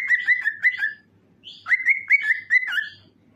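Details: Cockatiel singing, played to encourage other cockatiels to sing: two bursts of clear whistled notes near the same pitch, each a quick run of four or five rising-then-falling chirps with harmonics, separated by a short pause.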